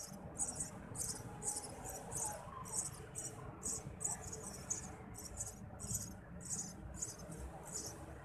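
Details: Eurasian tree sparrow chicks being fed by a parent: high, scratchy, hissing chirps in quick bursts, about two per second, over a low steady background hum.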